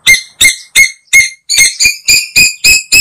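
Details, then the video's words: Asian koel lure sound for slingshot hunters: a fast, harsh series of about ten clipped, squawking notes, roughly three per second, loud and evenly spaced with no other sounds. "Tiếng Tu Hú Mồi"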